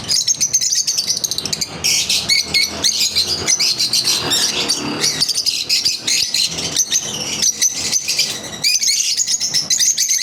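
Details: Pet lovebirds during the daily routine, continuous shrill chattering with overlapping high chirps and buzzy notes, barely pausing across the recording, over a low indoor background.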